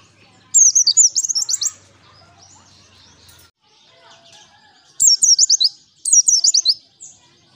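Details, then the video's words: Pleci, a white-eye, singing in the wild as a lure: one quick high twittering burst, a long quiet gap, then two more fast chattering phrases close together. "Pancingan PLECI GACOR Ngalas"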